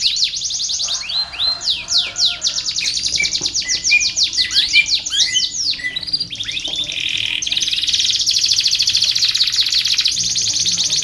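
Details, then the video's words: Long-singing canary, used to train and lure other canaries: varied phrases of sweeping down-slurred whistles and trills, moving into a steady buzzy, rapid trill in the second half. "kenari gacor panjang SUARA BURUNG KENARI ampuh buat MASTERAN KENARI & PANCINGAN KENARI"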